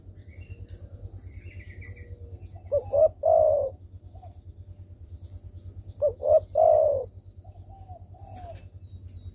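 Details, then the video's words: Spotted dove calling, used to coax reluctant doves into answering: two phrases of short paired notes followed by a longer rolling coo, about three and a half seconds apart, against a continuous low hum and faint chirps. "derkuku malas bunyi langsung merespon dengan pancingan ini"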